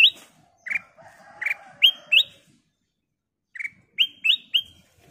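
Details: Clear, crystal-toned song of a ruby-throated bulbul, played to prompt other birds to sing: short whistles alternating between dull and upward-flicking, two loose phrases split by a silent gap, with a soft low murmur behind.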